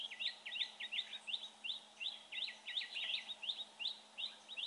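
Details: Red-whiskered bulbul being trapped, praised for its voice; an energetic string of quick, sharply inflected whistled chirps in tight pairs and triplets, running without pause.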